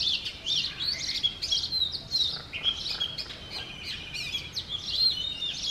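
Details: Male Oriental magpie-robin singing in the morning in front of a home in Sialkot, Pakistan: rich, varied whistled phrases, high and clear, with quick slurred notes and short trills following each other without pause.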